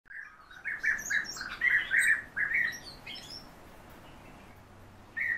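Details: European bee-eaters bred at home in captivity, giving a dense run of rolling, burry mid-pitched calls over about three seconds, with fainter higher chirps above, then a pause and one more call at the end.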